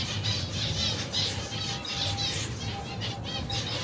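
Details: Adult and baby finches eating together in a colony of over 120 pairs, cold weather; busy chatter of high nasal chirps, a few held thin tones, and a droning low background.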